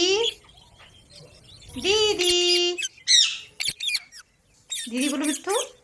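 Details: Pet parrot giving talking sounds: a low nasal voice-like phrase, a rising harmonic squawk held steady, then short sharp clicks and a final voiced burst with falling tones.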